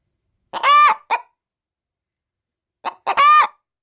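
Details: Pet hen preparing to lay an egg inside a bag of chicken food cackles when approached: a loud harsh squawk with a short trailing cluck, then after a silent gap a cluck and another squawk.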